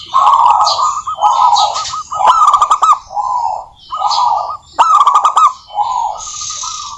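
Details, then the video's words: Local Indonesian zebra doves singing vigorously, a recording meant as a lure to prompt other doves to sing. Several rolling, trilled coos overlap, with bursts of sharp rapid clicking ticks between phrases. "suara burung perkutut lokal gacor COCOK untuk pancingan perkutut agar bunyi"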